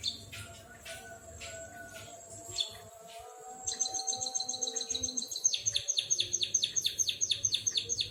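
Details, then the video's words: White-headed munia copying canary song: soft thin whistles build into an accelerating trill, then a long series of loud descending notes repeated rapidly and evenly. "Burung Emprit Kaji Gacor Bersuara Burung Kenari"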